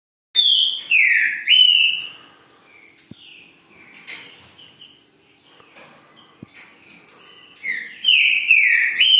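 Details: A green-winged saltator gives loud, rich whistled song phrases that slur down and rise again, with a quiet pause midway before the song resumes.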